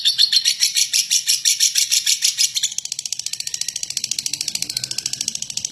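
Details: Lovebird in coarse ngekek chatter, used to provoke other lovebirds to sing. It opens with louder, throbbing grating bursts, then turns to a faster, thinner rattle of clipped high pulses.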